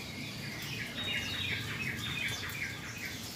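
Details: Yellow-vented bulbul, a 'bahan' (untrained) bird, after a calming rain-bath: a loose string of short bubbly notes, slightly rising and falling, repeated about three times per second over steady background noise.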